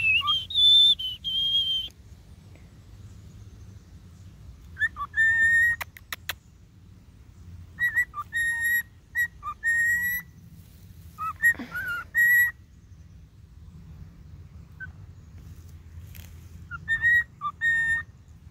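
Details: Free-flying trained cockatiels: a male flies down and woos a female, whistling clear, bright phrases of short rising and falling notes in little bursts; he is being taught the Sleeping Beauty waltz.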